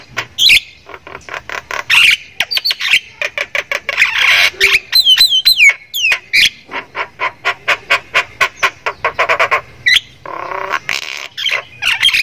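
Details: Javan myna from Thailand, a caged songbird singing vigorously with a rich varied repertoire and a laugh-like cackle: rapid harsh squawky notes in dense bursts, broken by clear whistled descending slurs midway.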